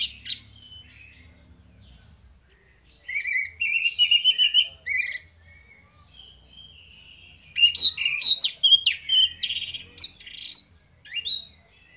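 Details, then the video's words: Orange-headed thrush duo singing ngeplong as a lure to set others singing: bursts of rapid, bright whistled notes and sharp chips, two intense stretches separated by quieter passages, faint low hum beneath. "DUO ANIS MERAH NGEPLONG GACOR, PANCINGAN ANIS MERAH BIAR BUNYI"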